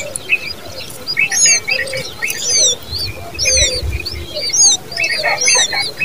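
Common babbler chicks begging with thin, high, squeaky whistles repeated about once a second, over softer scratchy chattering notes.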